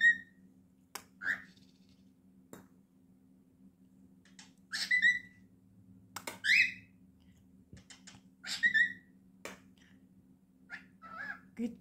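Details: Cockatiel named Monty mimics human phrases like "good boy" and "hey boy" in short, breathy whistled bursts.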